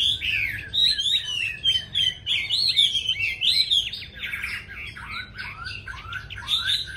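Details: Loud, restless song from a Chinese hwamei, with whistled slurs and buzzy chattering notes tumbling out rapidly and continuously over a faint low hum.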